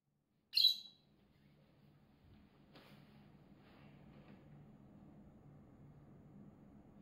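A rosy-faced lovebird gives one sharp, shrill, high-pitched shriek, followed by faint rustles and a low indoor hum.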